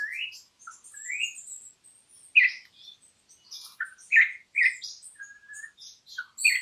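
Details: Campo troupial song used as a training recording for songbirds: a lively sequence of short chirps, squawky notes and rising whistles, irregularly spaced, high pitched.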